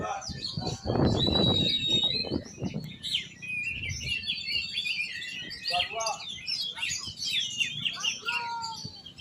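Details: Oriental magpie-robin singing: after a burst of close human speech, a rich run of varied whistles, chirps and short trills, some high and sweeping, a few lower notes, with faint talking in the background.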